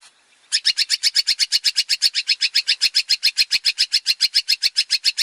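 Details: Male long-tailed shrike in full, varied song: after a brief quiet start, harsh buzzy chattering notes repeat rapidly, almost four per second, steady and unbroken to the end.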